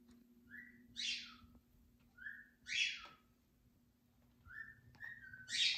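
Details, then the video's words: A pet pied cockatiel, a six-year-old male, singing in the morning: a short mid-pitched whistle followed by a loud, harsh, high screech, three phrases about two seconds apart, over a low steady household hum. "Birds Singing in the Morning"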